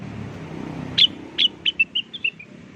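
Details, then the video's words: Blue-winged leafbird singing as a lure to draw a response: a few sharp notes, then bright whistled slurs stepping downward, over soft low background noise. "Suara pikat burung cucak wilis gacor atau rengganis di jamin ampuh langsung nyaut"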